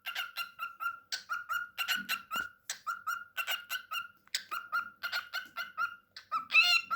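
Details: A talkative pet cockatiel chatters and sings in quick, squeaky whistled notes, repeated several times a second.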